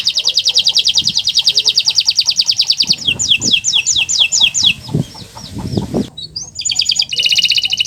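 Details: Canary song used as a master recording to prompt silent canaries to sing: fast trills of high notes, then slower descending whistled sweeps and a buzzy phrase, with some low knocking noises underneath.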